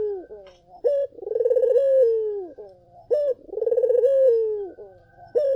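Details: Vigorous collared dove song, played to lure other doves into replying: a brief high note introduces a long burbling coo that trails downward, repeated at a steady pace of roughly one phrase every two seconds.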